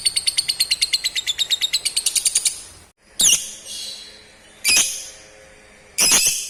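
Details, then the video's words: Lovebird calling, used to make other lovebirds answer and chatter; a fast series of shrill repeated notes, then after a gap three loud harsh screeches spaced about one and a half seconds apart. "Panggilan burung ini manjur bikin lovebird cepat respon dan ngekek"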